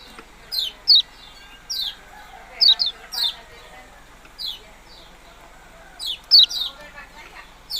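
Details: Yellow-bellied prinia uttering bright, piercing descending chirps, singly and in quick pairs, with soft background murmur.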